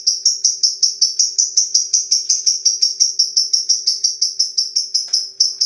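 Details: Lovebird 'ngetik' long chatter: a steady, regular stream of sharp, high ticking notes, nearly three per second, running throughout with no break, over a faint low hum.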